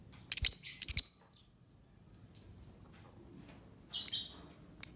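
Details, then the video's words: Lovebird giving sharp, high, harsh chirps in short paired bursts, separated by long quiet gaps, with a faint steady high hum in the background. "Suara Burung Lovebird"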